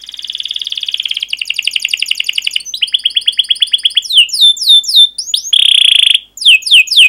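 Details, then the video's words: Domestic canary with sharp chirps and rolled trills: a steady buzzy trill, then repeated falling notes, fluting swoops, a short pure sustained whistle, and final downslurred chirps. "Kenari GACOR PANJANG Cuit CUIT EMOSI"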